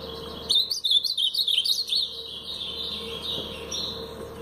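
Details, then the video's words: Ultramarine grosbeak, Paraná pardo style: a loud, quick string of about eight sharp, sliding whistled notes, followed by a quieter, drawn-out warbling tail lasting roughly two seconds. "Azulão Paraná pardo"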